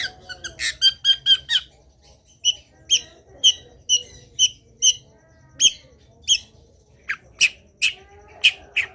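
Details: Long-tailed shrike singing in a varied training song: a quick series of clipped high notes, then sharper single chips spaced about half a second apart, with a faint background hum.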